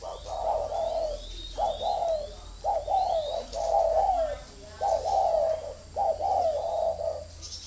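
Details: Spotted dove used as a decoy bird, giving a repeated low cooing phrase about once a second, each note slightly falling, with a steady high hum in the background.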